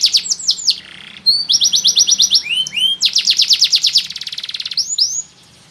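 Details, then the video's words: Male yellow Abyssinian canary song of fast downslurred notes, evenly repeated trills and swooping whistles, ending abruptly in quiet. "تغريد فحل ملتش"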